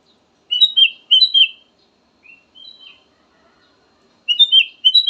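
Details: Ruby-throated bulbul song, used as a lure recording: bright whistled two- and three-note phrases, sliding and warbling, given in bursts near the start and again at the end after a soft, brief phrase in between; otherwise quiet.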